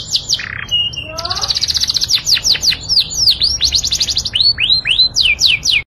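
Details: Loud canary song used to excite females for mating; opens with a short whistle, then a rolling buzzy trill followed by strings of sharp, swooping high notes repeated in quick bursts.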